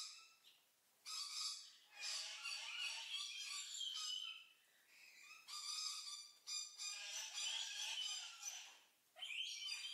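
White-necklaced partridge calling up close: loud, harsh, rich-toned phrases in long bursts broken by brief pauses, high and ringing.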